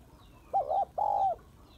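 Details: Female spotted dove call meant to excite males: a clean two-note coo, the first note short and wavering, the second drawn out and level before dropping away. The surroundings are otherwise quiet.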